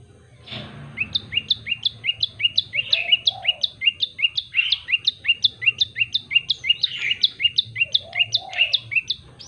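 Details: Prenjak lumut, or common tailorbird, in varied, lively song: a long rapid run of high, sharp, downslurred chips, roughly three per second, after an opening rising note, with soft low sounds underneath.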